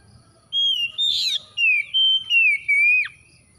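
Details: Oriental magpie-robin giving a series of long, pure whistled phrases, each held about half a second and slightly descending, with a sharp drop at the end, over quiet low rumble.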